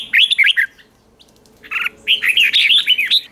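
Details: Red-whiskered bulbul kept in a cage, morning song practice in 'ché' style: a quick burst of bright slurred whistles, a short silent gap, then a longer rolling run of clear, rising-and-falling notes.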